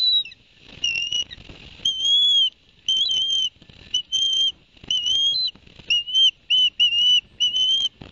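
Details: At a New Jersey osprey nest in Barnegat Light, September 2021, after the male's delivery of two fish: piercing whistled notes, some drawn out and slightly rising, given in uneven bursts with short pauses.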